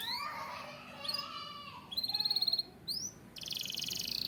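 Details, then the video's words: Varied white canary song: a low rolling warble, a fast clicking trill, a single rising whistle, then a dense buzzing high roll. "White Canary Sound Effect"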